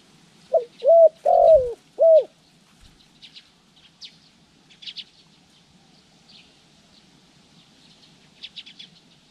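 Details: Spotted dove decoy during lure training for trapping, January 14, 2020: four quick hollow coos over about two seconds, then a long quiet stretch with faint, scattered high chirps from other small birds.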